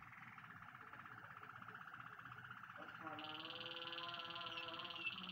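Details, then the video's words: Waterslager canary, fairly quiet, delivering a long even rolled trill that shifts halfway through into a higher, buzzier roll with a deeper rolling undertone. "Canary Wetherslager"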